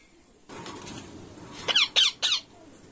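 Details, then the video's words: Indian ringneck parakeet giving three loud, harsh squawks in quick succession, each a rasping burst with a falling tail, after a low background hiss. "Indian Ringneck Parrot."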